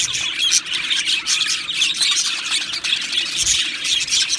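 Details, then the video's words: Budgerigar colony in an aviary, singing and chirping: dense, continuous high chatter of overlapping squawks, chirps and warbles from many birds at once, with no pauses. "Beautiful Budgies Singing and Chirping Sounds"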